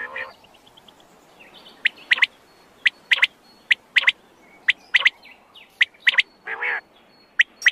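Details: Calls of a wild quail: abrupt, high clicking chirps, often paired, with a drawn, harsh nasal note near the end and faint steady whistling behind.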